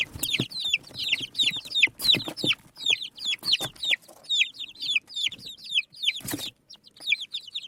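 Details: Chicks of a desi hen forage on the ground, chirping in a near-continuous stream of sharp, downward-sliding peeps, broken by a few brief scraping thuds.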